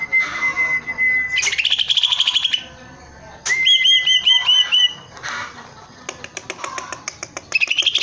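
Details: Vigorous song of a caged greater green leafbird: a long level whistle bending upward into a wavering trill, then a run of looping whistled notes, with faint clicking rattles between phrases.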